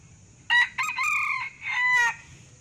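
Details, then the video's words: One crow from a male red junglefowl of Sumatra, played as a decoy call to attract birds: brief harsh start, extended buzzy middle, then an abrupt upward-bending final note, with a constant faint electrical whine behind. "Suara pikat ayam hutan jernih tanpa nois, sangat ampuh"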